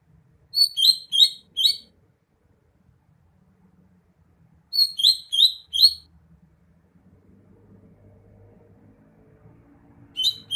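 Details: Greater green leafbird song in short bursts of three or four rapid, bright whistled notes, each burst separated by several seconds of quiet, with a faint low hum between.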